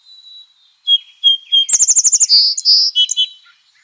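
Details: A Song Sparrow from the Pacific Northwest, in spring as breeding season begins, sings a few high, clear introductory notes, then a fast, almost metallic trill, and finishes with buzzy, jumbled phrases.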